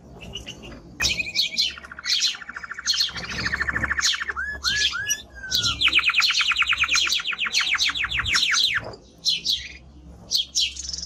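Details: Strong male timbrado canary: a low rolling trill, a few falling curved notes, then a long fast rattle of rising notes, followed by scattered high chirps.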